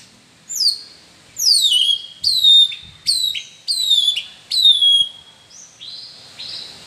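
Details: Captive champion white-rumped shama from Gondanglegi, Malang, East Java, shown performing live. Loud, clear whistled phrases, each sweeping steeply downward, given in a quick series of about six, then softer lower notes.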